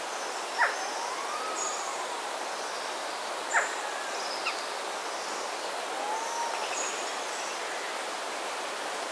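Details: Resplendent quetzal calling in forest at a hotel in Costa Rica, recorded in stereo: soft, slurred whistles that rise and fall, spaced several seconds apart, faint over steady forest hiss, with a few sharp clicks and high chirps.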